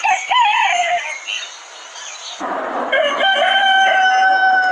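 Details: Rooster crowing on a chicken farm, one of many breeds recorded there: a wavering crow fades out, then a second long, steady crow holds a level pitch over busy background noise.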